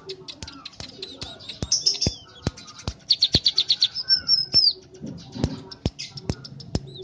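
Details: {'caption': "Tame caged scaly-breasted munia singing a lot in 'ceplekan' style: sharp dry clicks about every half second under soft chatter, then a fast rattling trill and thin high whistles sliding downward."}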